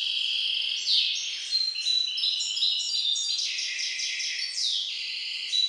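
A goldfinch hybrid sings a fast, unbroken twittering song of bright, tinkling notes and liquid trills that slide up and down, with no other sounds.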